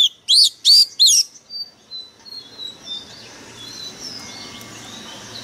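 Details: Oriental magpie-robin used as a decoy, in peak form: three loud, sharp rising whistles in quick succession, then fading thin notes that give way to steady background hiss.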